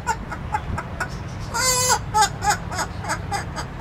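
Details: Pet parrot, male, kept in an indoor aviary and caged only for safety, laughing nonstop: a run of short, harsh, harmonic 'ha' bursts repeated several times a second, loudest and most drawn out in the middle.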